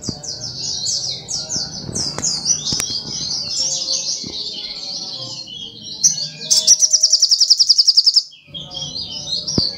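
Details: Energetic sunbird (sogok ontong) song: a long stream of rapid high twittering chirps for six seconds, then a sharp fast pulsed trill, then more twitter; low background hum under the chattering.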